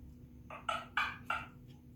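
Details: African grey parrot indoors giving four loud, harsh squawking calls in quick succession, each roughly a quarter second long, over a low steady room hum.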